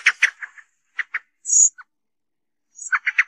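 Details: Common blackbird sound used as a hunting lure: clusters of rapid chuckling notes, then a thin, high squeaky whistle, followed by another burst of chattering notes.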